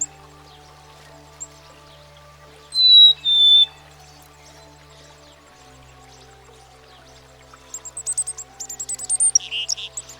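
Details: Black-capped Chickadee, a common American backyard bird: a clear two-note whistle, high then slightly lower, then after a pause a rapid run of thin, sharp, buzzy chattering notes rising in loudness, over soft background music.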